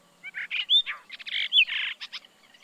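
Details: Brahminy starling in Kaohsiung City, 16 June 2020, delivering a varied, jumbled sequence: buzzy churrs, two sharp rising whistles, gurgling grating notes and short clicks, all loud and close, with a quiet background.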